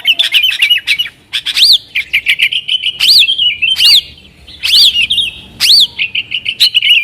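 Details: Yellow-vented bulbul singing nggaruda style as a lure for wild sooty-headed bulbuls: chattering warbles punctuated by loud, clear rising-and-falling whistles about once a second, with brief pauses between phrases.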